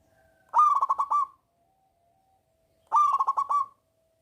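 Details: Local zebra dove with a big voice, singing actively; two cooing phrases, each a quick run of five or six throaty, pulsed notes near one pitch, separated by a two-second pause in near silence.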